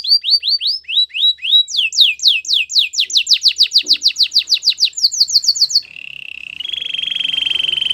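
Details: Canary training song: rising then falling sweeping notes repeated rapidly, speeding into a tight trill, ending in sustained low buzzing rolls.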